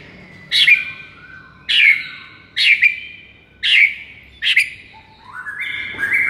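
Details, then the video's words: White-rumped shama song meant to stir a sluggish bird: five loud sharp chattering bursts about one second apart, then a rising whistled phrase at the close. "MASTERAN EFEKTIF untuk Pikat Murai LOYO seketika langsung NGAMUK"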